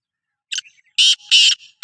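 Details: A Sindhi black francolin (kala teetar) gives a brief scratchy note, then two long, harsh, buzzy notes close together, and a third begins at the end. Soft grating sounds fill the gaps.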